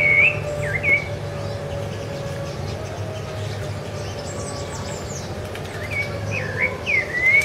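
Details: Rufous-bellied thrush (Turdus rufiventris), sabiá-laranjeira, recorded in January 2013 on Ilha do Governador, Brazil: short clear whistled phrases at the start and end with a quiet gap between, over a low steady hum.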